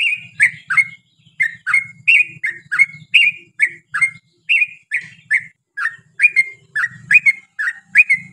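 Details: Lure recording of a yellow-vented bulbul singing a long 'ropel' song meant to draw answering song from its kind: steady run of short gurgling, dropping notes about three per second over a low buzzing hum.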